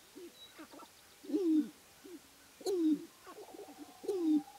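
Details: Sharp-tailed grouse males displaying at a spring lek in the Namekagon Barrens, Wisconsin, competing for dancing grounds before hens. Low hooting coos with a downward slur come every 1.3 seconds or so, mixed with softer clucks and short chatter.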